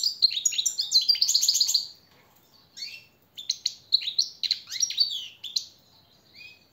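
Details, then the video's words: European goldfinch tutor song for captive birds: a dense, liquid twittering phrase, a pause, then a looser series of sharp chirps and short trills fading out. "jilguero el reclamo maestro y motivador"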